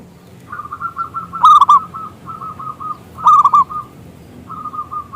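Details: Local zebra dove with a big voice, used as a lure to set other doves singing: fast trilling runs of short notes broken by two loud rolling coos, then a final soft run.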